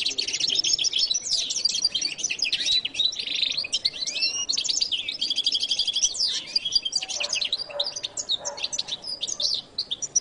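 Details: Long, fluent goldfinch song: dense high twittering, buzzy trills and metallic chirps repeated in rapid succession, varied throughout, with brief soft pauses near the end.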